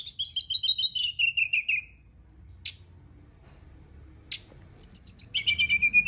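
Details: Brown-chested jungle flycatcher song played at night as a lure to spur a bird into singing: high, rapid stuttering whistled notes that step downward, then two sharp chips and a quick trill ending on a level whistle.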